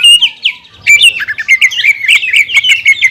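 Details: Short burst from a caged greater green leafbird: a few clear whistled notes, then a jumble of quick twittering, buzzy and whistled elements.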